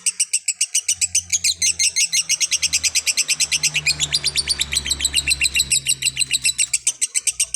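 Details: Lovebird pouring out an unbroken run of quick, high, clipped chirps, several per second, slightly varying in pitch, over a low background hum.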